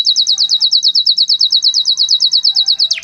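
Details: Canary singing: a fast, steady trill of bright repeated notes, about three per second cluster into a rapid roll, ending in a quick descending sweep.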